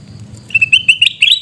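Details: Rapid string of sharp, high chirps from a sooty-headed bulbul in Pidie, Aceh, Indonesia, about eight clipped notes tumbling together in one second, gaining strength toward the end.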